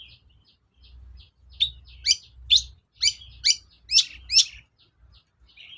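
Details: Long-tailed shrike lure song to goad other shrikes into singing: soft ticks building into six loud sharp downslurred chips at half-second intervals, fading to faint twitters.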